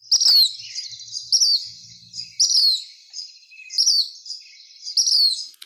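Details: Black phoebe (Sayornis nigricans), a year-round SF Bay Area resident, with an adult feeding two young that call almost constantly: sharp, high, down-slurred chip notes, about one per second, softer twitters between, a faint low hum.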